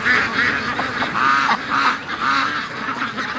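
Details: Free-range ducks during their morning rush: a few loud, drawn-out raspy quacks rise above a busy background of softer duck chatter.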